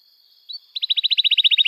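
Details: Canary trill for training young birds to sing: a faint whistle, then a steady run of quick repeated notes, about eight per second.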